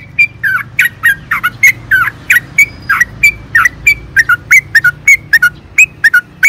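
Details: Yellow-vented bulbul song used to coax caged birds into singing: bright whistled notes, some swooping down, some rising, delivered about three per second over a low background rumble.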